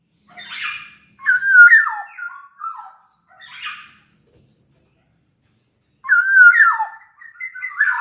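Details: Sumbawa black-naped oriole in vigorous song used to prompt quiet orioles: two mellow whistled phrases slurring downward, separated by a long silence, with short harsh nasal bursts between them.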